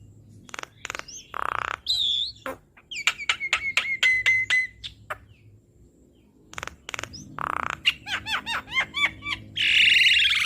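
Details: Asian pied starling training song for cage birds, a long varied medley of rasping buzzes, clicking rattles, whistled warbles and harsh squawks, pausing midway before resuming.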